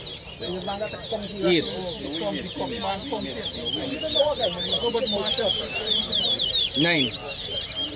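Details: During a competitive bird-singing race at a bird ground in Guyana, a chestnut-bellied seed finch (Sporophila angolensis) pours out a rapid, sweet, twittering warble of high slurred notes, while people talk and count its songs aloud.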